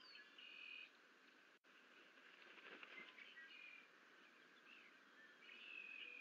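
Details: Bald eagle nestlings at Fort St Vrain, two chicks hatched April 9, fighting at the nest on 21 April 2024 once the parent flies off; high whistled notes open and close the stretch, with scuffling and a brief thump between, under constant hiss.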